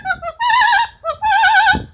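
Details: Pet Amazon parrot doing an opera-like imitation: short stepped notes lead into two sustained, vibrato-laden warbling tones rich in harmonics, each lasting about half a second.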